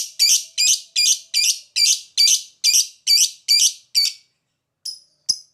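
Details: Lovebird producing a rapid, even series of harsh high screeches, about two and a half per second, followed by a pause and two shorter chips; used as a prompt to make other lovebirds sing ngekek.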